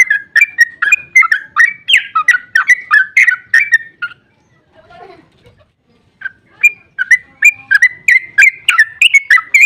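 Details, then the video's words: Sooty-headed bulbul giving a long, excited ropel song, used as a lure to provoke other bulbuls to answer: rapid bubbly whistled notes repeated about three per second, in two bursts separated by a brief pause with a faint low murmur. "Trucukan GACOR ROPEL PANJANG EMOSI buat pancingan trucuk agar cepat bunyi"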